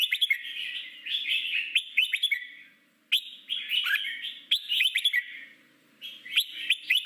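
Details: Red-whiskered bulbul giving a wild-type song used to train captive birds: bright, chattering warbled phrases about three seconds long, each starting with sharp notes, with short pauses between.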